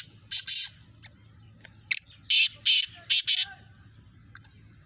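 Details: Black francolin calling during a contest between several birds: a burst of two harsh, grating notes, then a pause, then a rapid series of four loud rasping notes and a final short one, with faint low background hum.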